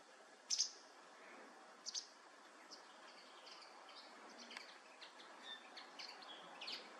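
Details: Common linnet (Carduelis cannabina) gives two sharp, high chirps, then soft, scattered twittering of quick high notes over steady background hiss.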